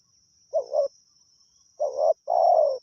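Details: Spotted dove, a wild bird drawn in by decoying, gives a quick two-note coo, then after a pause a doubled coo and a long rough croo, with a faint continuous high-pitched whine behind.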